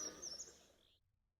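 Alder Flycatcher giving its quick, slurred three-part song, high and somewhat buzzy, over in under a second.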